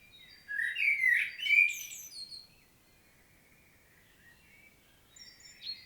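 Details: Common blackbird singing in Świnoujście, Poland, on 25 September 2022: one loud fluty phrase rising into high chattering twitters, then a quiet stretch with a few faint distant chirps.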